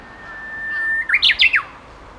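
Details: Spring song of a Japanese bush warbler, watched as it sings: a drawn-out pure whistle opens the phrase and breaks into a rapid, bright flourish of four or five rising and falling notes. Quiet surroundings.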